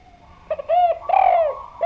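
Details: Spotted dove cooing: a short note, a longer swelling coo, then the start of another note, soft and mellow with a faint steady hum behind.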